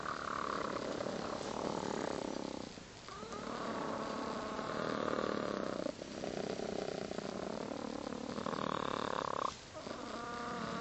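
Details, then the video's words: Laying hens heard at night while roosting give a steady, buzzy purring drone with a tonal hum. It runs almost continuously, broken by brief quiet dips near three, six and nine and a half seconds. "Do Chickens Snore?"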